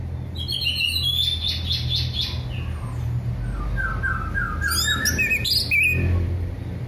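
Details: Orange-headed thrush in a relaxed, full-voiced song used as a lure to get birds that have stopped singing to sing again: bright whistled phrases, then a run of descending slurred notes and rapid chattering, over a steady low hum.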